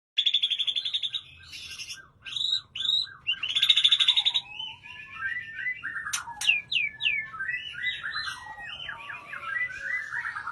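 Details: White-rumped shama, a kept bird, singing a long varied song: rapid repeated ringing notes, curved whistled phrases, sharp high upslurs and quick tumbling descending series, with a faint low hum beneath.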